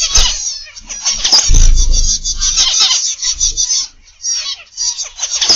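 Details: A morning aviary of captive zebra finches: busy bursts of high, buzzy beeping calls from many birds, a heavy low thump near the start, then a short lull before the chatter resumes.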